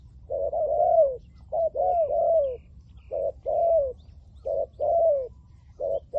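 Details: Decoy spotted dove calling to draw in wild doves for capture, giving mellow hooting phrases of a brief coo followed by a drawn-out falling coo, in steady repeated pairs with quiet low hum behind.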